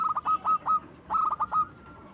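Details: Loud-voiced local zebra dove singing to lure other doves: two quick bursts of clipped, bubbling cooing notes, each burst ending in a held, level tone.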